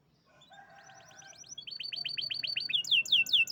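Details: Champion canary singing: a low steady tone under fast rising trills that speed into bright, high, sweeping slurred notes, growing steadily louder.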